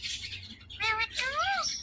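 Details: Nonstop talking from a pet parrot: a hoarse, voice-like word with bending tonal contours, then a longer drawn-out syllable, over a noisy indoor background.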